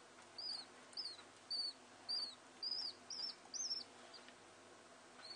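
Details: Two common house martin chicks, picked up after falling from their nest: short high chirps repeated about every half second in a steady series, with faint room noise behind.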